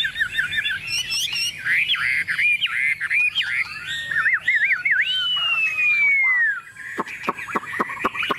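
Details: Hand-tamed Chinese hwamei perched on a table sings confidently, mixing chattering notes, zigzag warbles and a long sweeping whistle, ending with sharp clicking sounds.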